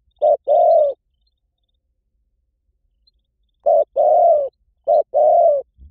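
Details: Spotted dove cooing for luring. One short-and-long coo pair, a pause of nearly three seconds, then two more pairs in quick succession. The coos are mellow, mid-pitched and slightly falling, with faint high ticks.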